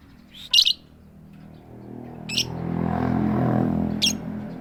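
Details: Female lovebird calling the male with tik tik keyok notes: three short sharp high chirps spaced over about four seconds, with a low rumbling noise swelling in between.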